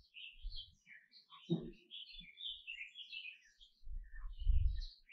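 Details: Canary giving scattered short chirps and brief warbled notes at high pitch, with soft low thumps and knocks in the background.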